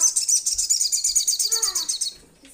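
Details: Crimson Sunbird calling to companions with a loud, continuous, very high, pulsing trill of evenly repeated buzzy notes that fades out after two seconds. Faint lower sounds come at the end.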